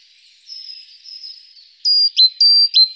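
Great tit song: a bright, high whistled note snapping down to a lower one, repeated twice in quick succession after a faint, thin opening phrase.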